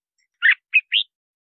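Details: Brief red-whiskered bulbul snippet from a lure and training recording: three quick notes, a buzzy chirp, a short whistle and an upward-sweeping clear note.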